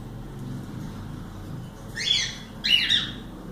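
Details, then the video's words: Two quick harsh squawks from pet cockatiels, the second following about half a second after the first, over a noisy indoor background with low rumble. "Calopsitas Live de Agradecimento aos 500 Novos Inscritos Canto dos pássaros ASMR"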